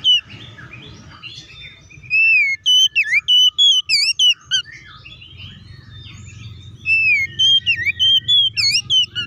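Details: Oriental magpie-robin song meant to make other magpie-robins agitated; softer scratchy warbles open, then two strong sequences of clear, looping whistles with quick bends, over a faint low hum.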